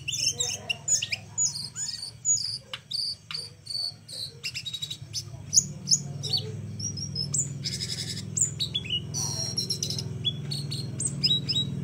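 A flowerpecker gives a rapid run of very high, thin chirps and sharp ticks, with short buzzy bursts partway through, over a low steady hum.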